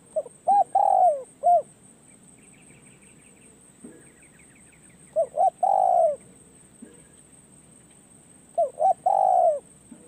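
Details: Spotted dove, a decoy bird at a forest trapping site, giving a cooing phrase of quick short notes and one long, slurred, falling coo, then a pause with faint chirps before another phrase, over a constant high whine.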